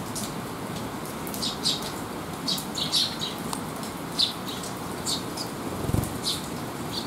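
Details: Rain-soaked young sparrows rest after feeding and shelter from a downpour on 8 July 2021, giving brief, sharp, high chirps at irregular intervals amid fluttering wingbeats, with constant rainfall noise and a dull thump near the end.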